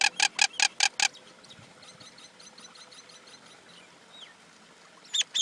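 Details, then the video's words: Common Indian myna produces five loud, harsh, evenly spaced chacking bursts, then a quiet stretch with faint chatter and a brief whistle, ending with two more harsh notes. "Common Indian Myna sound"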